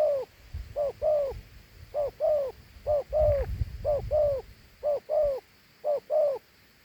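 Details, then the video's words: Big, attractive dove delivering a two-note coo: a short lead note and a longer descending one. It repeats roughly every second, with some soft low thumping noise in the background midway. "Thổ Hú âm gù hay.gù 2 âm gù quá tốt"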